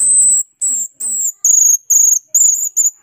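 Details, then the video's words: Asian glossy starling (cucak keling) in gacor song: seven loud, very high whistled notes. Some are sustained and some are slightly warbled, repeated about every half second with short gaps. "Cucak keling gacor teler"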